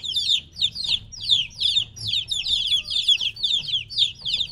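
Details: Young chickens about three weeks old, separated from their mother, peep insistently: bright, sliding-down chirps in overlapping pairs and triplets, evenly pulsing, over a quiet low rumble.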